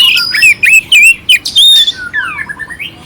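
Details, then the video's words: Oriental magpie-robin singing harsh, clear phrases to rouse another magpie-robin: quick chopped whistles and squawky notes, then a longer falling trill fading toward the end. "Suara Kacer Jernih isian kasar Cocok untuk masteran untuk menaikkan emosi kacer dingin"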